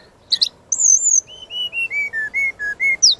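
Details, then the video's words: Chatty master song of a brown-chested jungle flycatcher: a brief chirp, a long high whistle, then a steady sequence of short level whistles stepping lower and slightly up again, ending with a rising slur. "Suara Pancingan dan Masteran burung Srdc gacor full isian"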